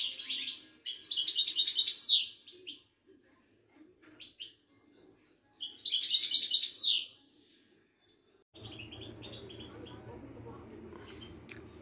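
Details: Moroccan Widani goldfinch, caged, delivering two loud bursts of fast high twittering with short notes between them, followed by low murmuring background noise.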